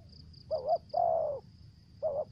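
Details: Spotted dove kept as a lure, 'thổ dế' voice style: one short wavering coo, one long smooth falling coo, then another short coo beginning, with an intermittent high pulsing tone in the background.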